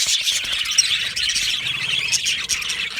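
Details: Budgies in an aviary colony, singing and chirping: many busy high-pitched twitters and scratchy warbles layered over one another, with brief sharper chirps standing out.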